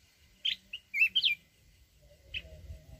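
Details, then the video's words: A mountain red-whiskered bulbul sings a short forest-voice phrase of clear, bouncing whistles, followed by a single separate chirp and faint low background rumble. "chào mào núi@ hót giọng rừng kích bổi"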